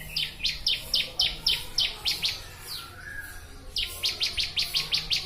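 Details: Ciblek, or bar-winged prinia, singing on a training master recording: quick series of bright, high, down-slurred chirps in two runs with a short gap between them, over a low steady hum.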